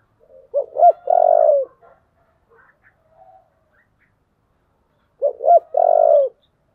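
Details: Spotted dove with 'giọng thổ' voice cooing fiercely to incite fighting. Two repeated phrases about five seconds apart: two brief low notes, then a longer rough coo, with faint quiet notes between.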